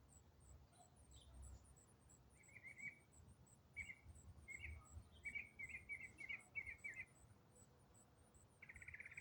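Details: Songbird singing in autumn, quieter here: scattered buzzy trilled notes in short bursts, a run of quick repeated chirps, then a longer buzz, with constant high insect ticking throughout.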